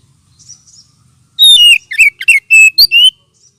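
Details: Oriental magpie-robin lure call meant to stir up birds lacking aggression: after soft high notes, a loud sequence of clear whistles, down-slurred notes and steady level tones, each short and sharply separated.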